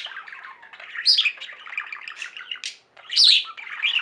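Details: Pet budgie flock in song: brief stretch of soft scratchy chatter broken by two loud bursts of shrill, squeaky chirping, with a short pause between.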